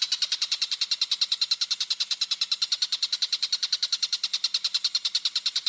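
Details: Lovebird giving the long ngekek trill, used as a training recording for other lovebirds: a steady, rapid series of harsh, high, evenly spaced pulses, about six per second, continuing unbroken without change.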